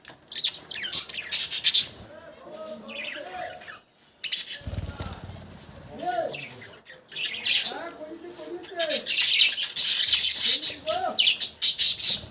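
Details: Budgerigars give bursts of high scratchy warbling and squawks, broken by a short silence. Lower voice-like sounds and what may be wing flapping are mixed in.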